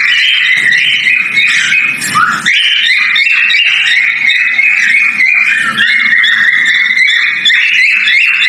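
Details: Breeding male cockatiel whistling a mating call, a steady stream of high clear notes that waver and step up and down, with one quick upward sweep near the middle; soft low murmuring sits underneath.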